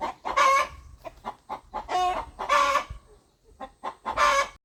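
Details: Farmyard rooster clucking rhythmically as it communicates, with soft low clucks between three loud, raspy, stretched squawking notes spaced about two seconds apart, on a quiet background.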